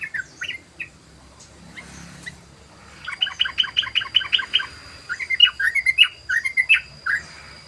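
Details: Sooty-headed bulbul singing in the rapid 'ropel' style, used as a lure: a few scattered bubbly notes, then a fast chattering run of short warbled notes and lively rising-falling phrases, over a steady faint high whine.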